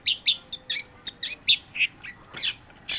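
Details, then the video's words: Long-tailed shrike, known locally as cendet, singing without pause: a quick series of short, bright chirps and trills, high-pitched, with brief notes repeated roughly every quarter second. "kicauan cendet tanpa jeda"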